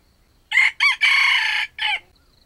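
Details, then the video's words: Trapped wild red junglefowl cock giving a stuttering crow, two quick choppy syllables leading into a long raspy held note and a short tail note, with a quiet background. "The trap of wild chickens crows with a stuttering voice"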